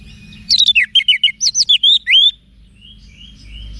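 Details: Singing orange-headed thrush, used to provoke caged birds into answering. A single rapid phrase of about a dozen loud whistled notes, many sharply down-slurred, is delivered in under two seconds. Faint soft whistles and a low hum follow.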